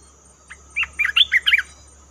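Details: Red-whiskered bulbul calling to lure birds for trapping, giving a single bright, jumbled phrase of quick up-and-down whistled notes.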